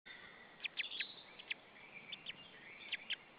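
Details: White-tailed eagle chick alone in its nest at Saunja, Estonia, on 26 April 2013 at 16:44, after the parent left and called in flight; a few thin, high chirps in short bursts, with quiet gaps and steady background hiss from the nest camera.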